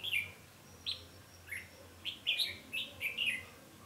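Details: Red-whiskered bulbul decoy at a trapping site, 20 November 2015, delivering a fast string of bright, slurred whistled notes over faint low hum.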